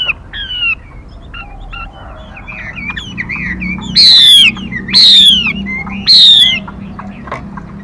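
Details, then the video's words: Female Mi singing as a lure for trapping: soft chattering twitters, then three loud high whistles gliding downward about a second apart. "Tiếng Mi Mái. Tiếng chim kích bổi, kích trống, luyện giọng bổi, bẫy đỉnh nhất hay nhất"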